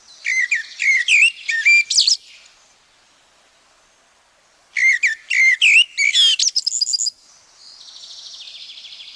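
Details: Common Blackbird in the forest of Wielkopolski National Park, Poland, recorded in 1990. Two song phrases about two seconds long are separated by a pause. Each begins with fluty, repeated whistles and ends in a shrill, high twitter. The background is otherwise still.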